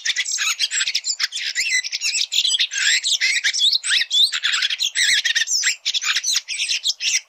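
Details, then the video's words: Red-throated thrush in song, delivering a long, continuous run of harsh chattering and squeaky twitters in quick bursts, busy and scratchy throughout, with nothing else clearly audible. "Red Thrush Singing"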